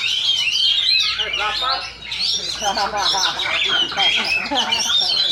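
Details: Oriental magpie-robin (kacer) singing at a Friday practice bird-singing contest in Indonesia, class session 2: loud, varied whistled song of fast rolling phrases and sweeping notes, with other birds overlapping and a man talking in Indonesian.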